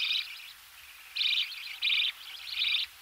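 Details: Close-up budgerigar chicks in the nest during feeding: short raspy buzzy bursts spaced about half a second apart over a low knocking background.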